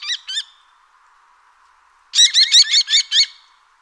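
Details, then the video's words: Common kestrel giving sharp, high, repeated notes: two quick calls, a pause, then a rapid series of about seven shrill, ringing notes in a fast run, clean background. "Gheppio - Falco Tinnunculus"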